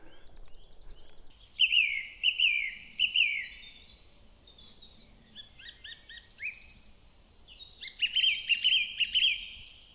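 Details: Blackcap song at Staines Moor, England, on 13 May 2024 in overgrown, partly flooded moorland: two bursts of quick scratchy warble rising into clear fluty phrases, other small birds chipping and twittering softly between.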